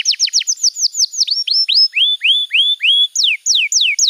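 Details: Canary song played as training material for young birds: quick downward-sliding whistled notes, then slower rising slurred whistles, ending in sharp descending sweeps, all high-pitched and rhythmic with no other sounds.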